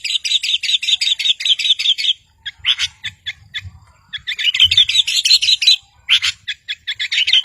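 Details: Long-tailed shrike singing vigorously, a rival-provoking song used to stir silent birds into singing. Dense, rapid, chattering high notes in fast bursts, a brief pause, then renewed scratchy chatter.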